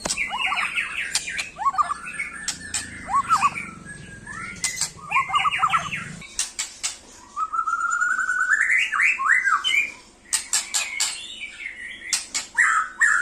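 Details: A white-rumped shama, looking for a rival, pours out quick chattering and trilled notes mixed with rising whistled runs and loud dry clicks, a low hum in the first half.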